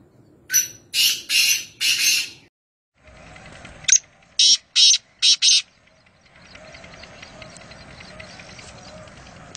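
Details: Black francolin, locally called kaala teeter, recorded at Nawabshah, Pakistan: two bursts of harsh, grating broadband notes, first four then five in quick succession, separated by silence, over faint rural background hiss.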